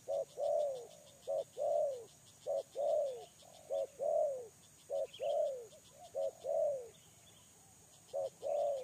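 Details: Trapping lure spotted dove cooing in a steady rhythm, each short sharp note followed by a rounded descending coo, the pair repeated about every second, with rhythmic high insect pulses behind.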